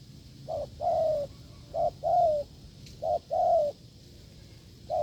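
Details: Wild field spotted dove met during a failed decoy test, cooing hard: low hooting phrases, each a short note then a longer drawn-out coo, repeated about once a second over a faint hum.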